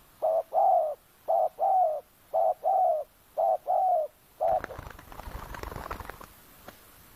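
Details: Spotted dove calling in a Sabah oil palm plantation as a decoy for wild doves: groups of soft low coos repeated rhythmically, then rustling and handling noise take over.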